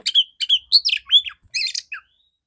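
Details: Morning song of a clear-voiced female Oriental magpie-robin, played to stimulate males: a short burst of loud whistled and slurred notes with a few harsh scratchy elements, ending in a falling note.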